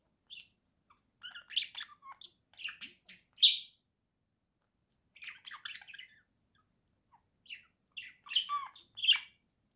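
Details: Singing pet budgerigars, a caged pair indoors in November 2024, trading clusters of chirpy, scratchy twitters and sharp clicks in three groups separated by brief silences.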